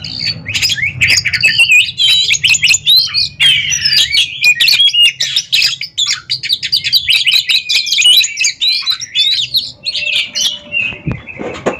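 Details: A caged Oriental magpie-robin sings during a competition duel against a rival: a fast, varied torrent of chirps, warbles and scratchy phrases, nearly continuous, over a low background rumble.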